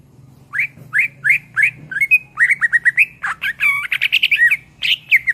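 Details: Greater green leafbird, known locally as cucak ijo, singing a loud master song: slurred whistles around mid pitch repeated quickly, then a dense run of chattering, buzzy notes and harsh rasps, over a faint low hum.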